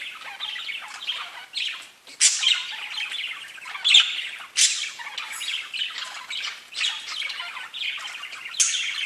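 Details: Pet budgerigars in full chatter, rapid rasping twitters and warbling phrases layered over one another, with abrupt loud squawks near two, four and eight and a half seconds.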